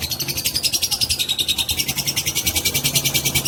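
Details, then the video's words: Fighter lovebird giving a long ngekek, a stimulating trill meant to provoke other lovebirds: a fast, dry, rattling chatter of evenly repeated high pulses, roughly seven per second, running without a break through the whole stretch. "Pancingan love bird fighter durasi panjang"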